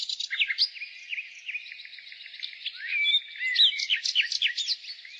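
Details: Nightingale singing in spring: a dense stream of quick high chirps and short rising whistles, with overlapping bird voices forming a steady background chatter.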